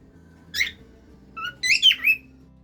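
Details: A cockatiel kept as a pet sings a short sequence indoors: one sharp whistled note, then a quick cluster of three rich, warbling whistles, over faint background music.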